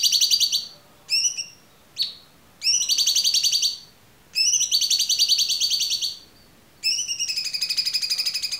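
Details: Cucak cungkok alternating short sharp chirps with long, fast, buzzy trills of one to two seconds, the last trill shifting pitch partway, in a clear, quiet recording.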